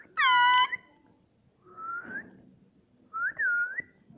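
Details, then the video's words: Indian ringneck parrot, a pet rose-ringed parakeet: one bright nasal, descending squawk, then two softer, gently rising and dipping whistles separated by a pause. The background is a quiet room. "Indian parrot talking"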